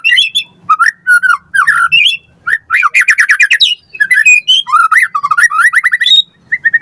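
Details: White-rumped shama singing as a lure for training captive birds: dense, rapid whistles, chattering trills and harsh notes in quick succession.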